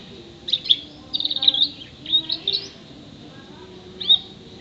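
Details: Canary aged six months, singing a song full of imitated calls of sparrow, prinia, white-eye and others; bursts of high chattering trills and sharp notes separated by short pauses, with low hum beneath.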